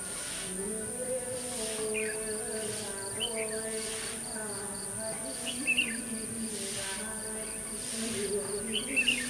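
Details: Red-whiskered bulbul acting as a caged lure to call in wild birds, trapping day 21 November 2015; four quick warbled, slurred phrases spaced a few seconds apart, with shrill insect drone, pulsed chirping and low wavering hum beneath.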